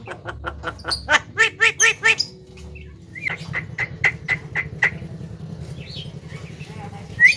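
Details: Talking Javan myna runs a quick burst of harsh stacked squawks, then a string of short clipped notes repeated about four per second, fading into softer scattered chirps over a low background rumble.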